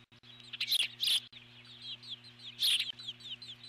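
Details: Eagle at the nest calling in alarm at an intruder flying nearby. A few loud high chirps are followed by a run of softer, repeated up-slurred squeaks, with a steady background hum.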